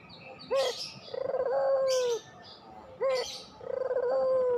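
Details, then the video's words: Pelung-variety Barbary dove coo used as a lure to rouse reluctant doves into singing: a short rising note followed by a long rolling, slightly falling coo, given twice, with high chirps of small birds between. "masteran puter pelung, 100% AMPUH pikat PUTER MALES BUNYI JADI GACOR MANGGUNG, PANCINGAN PUTER"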